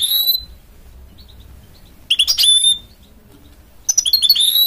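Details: Goldfinch-canary mule song in separate loud bursts: a sustained high whistle, then after a quiet gap a dense chattering trill with sliding notes, and a third twittering burst at the end.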